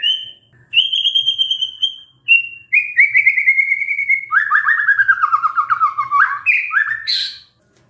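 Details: White-rumped shama song used as a pancingan, a lure to set a stressed shama singing: clear high whistles, then a long run of rapid repeated notes sliding steadily lower, ending in quick rising flourishes.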